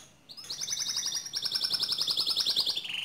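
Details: Pure white canary delivering a long, even trill of very fast repeated high notes, sustained for nearly three seconds and dropping slightly in pitch at the end.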